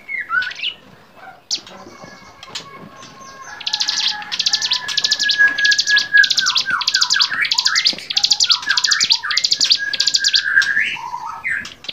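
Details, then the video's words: Bar-winged prinia used as a tutor voice for songbirds: soft scattered notes at first, then a long fast series of high buzzy chattering bursts with descending whistled slurs underneath. "masteran cigun gacor variasi"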